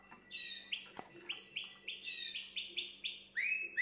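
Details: Canary song meant to stimulate a female: fast rolls of short downward-sweeping whistled notes repeated about four times a second, with brief high buzzy trills, all clear over a faint low indoor hum.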